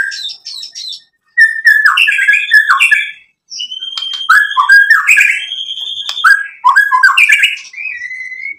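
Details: White-rumped shama song played to provoke other shamas into singing: loud varied whistled phrases with rising and falling notes around mid pitch, fast chattering bursts and short pauses between phrases.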